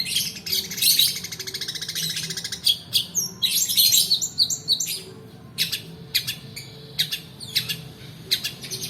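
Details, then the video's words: Long-tailed shrike rolling song meant to stir quiet shrikes and tutor other birds: long stretches of rapid, buzzy trilled chatter giving way to sharp separate chips and short rasping bursts. "PANCINGAN PENTET MALAS BUNYI ROLL DURASI COCOK UNTUK MASTERAN"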